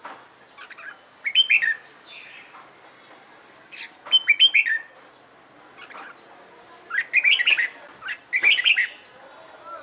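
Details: Red-whiskered bulbul trained for song contests, delivering four short bursts of warbled, chattering whistles about every two to three seconds, softer bird notes scattered between.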